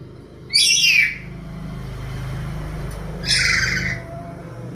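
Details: Bird calling with two harsh, buzzy squawks about two and a half seconds apart, each lasting under a second, over a low steady hum.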